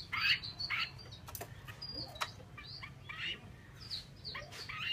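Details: Vietnamese female Chinese hwamei calling with bright, rough chirps and short whistled slurs, a few louder bursts near the start, with soft clicks and a steady low background hum.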